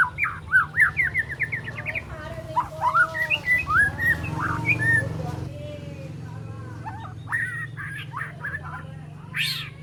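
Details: Three-month-old spotted juvenile white-rumped shama learning to deliver mimicry and sharp tembakan notes: a rhythmic series of short chips, then looser whistled slurs and scattered notes, a high burst at the end, low hum throughout.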